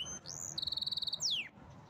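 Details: Pet canary singing a short phrase: a rising whistle, a rapid buzzy trill of evenly spaced notes, then a loud whistle sliding steeply downward, over faint low background hum.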